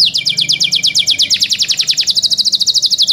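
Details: Song of young canaries cared for as cage birds: a fast, even series of repeated descending chirped notes, about ten per second, shifting midway to a slightly lower, steadier rattle.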